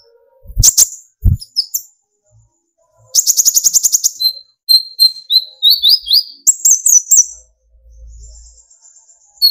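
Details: Van Hasselt's sunbird, locally konin or kolibri ninja, singing to provoke young spotted and fully metallic birds into singing: a fast buzzy trill, then thin high whistled notes and rising chips, after two low thumps at the start.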